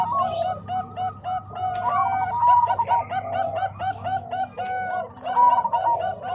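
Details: Bangkok and Cemani Kolbuntet zebra dove song, combined for training other doves. Trilling rounded coos repeat in runs, broken by a brief dip in loudness before a strong final burst of cooing.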